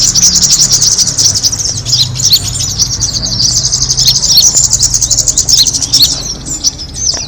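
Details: Kemade bird calling, used to attract other birds: an unbroken stream of rapid, shrill chirps that stays steady throughout, with a low hum in the background.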